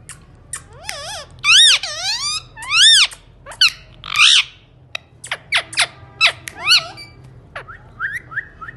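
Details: Indian ringneck parakeet chatters in repeated loud, raspy speech-like phrases with bending, warbling tones, interspersed with sharp clicks. Softer rising whistled notes trail off at the end.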